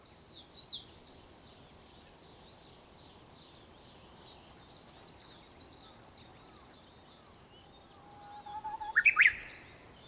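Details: Japanese bush warbler singing at sunrise on 4 May 2021, near dawn. Other birds chirp thinly in the background for most of the clip. Near the end a short low steady whistle is followed by a quick burst of rising, sharper notes.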